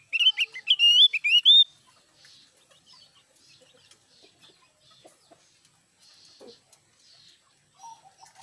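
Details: Loud singing Javan grey-throated white-eye: a quick burst of sharp, sweet whistled notes lasting under two seconds, followed by near silence with faint distant chirps.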